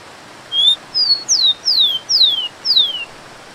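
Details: Rufous-collared sparrow (Zonotrichia capensis) sings six high, clear whistles about every half second, the first level, the rest slurring sharply down, over the steady hiss of a waterfall.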